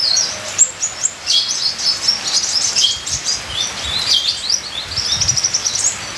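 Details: High, thin sunbird twittering: quick chirps and tiny slurred notes run together in busy phrases over a soft rain hiss. Local name ninja sunbird.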